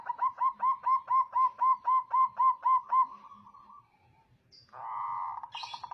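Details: Zebra dove (perkutut), a local bird in full voice, recorded as a lure to excite other doves: about eleven evenly spaced, mellow coo notes roughly four per second, then a brief pause and a rougher sustained burst.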